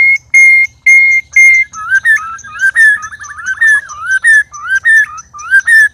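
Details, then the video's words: White-rumped shama, one of three birds put together to spar, giving loud, strange sounds: four long steady whistles, then quick repeated two-part phrases of a rising slur and a flat whistle, nearly two per second, over a low hum. "Murai Keluar Suara Aneh Ketika Di Trex 3 Murai"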